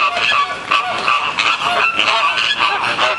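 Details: Squabbling flamingos at a zoo in Columbus, Ohio, thought to be Caribbean flamingos, make loud goose-like nasal honks in a steady overlapping jumble, about three calls each second.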